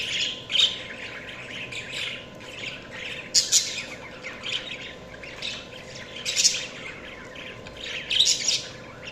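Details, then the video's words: Continuous budgie twittering, raspy warbled phrases with loud sharp squeaks standing out at irregular intervals, several birds seemingly calling at once over a low hum. "5 Min Budgies Chirping sounds"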